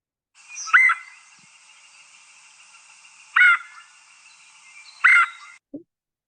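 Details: Red-headed woodpecker call played back as a recording: three loud harsh, slightly rising churring notes, spaced about two seconds apart, over a faint steady hiss, with a brief low click at the end.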